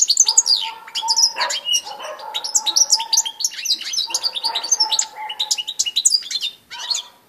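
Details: Goldfinch song from 18 December 2016, a fast, continuous tumble of liquid twitters, ticking notes and short buzzy phrases, with a soft low hum running below much of it.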